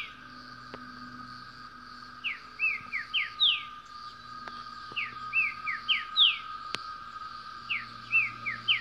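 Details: Green-winged saltator singing in the wild, a fast phrase of clear, slurred whistles swooping up and down, repeated three times over about nine seconds, over a steady insect-like drone and faint rural background.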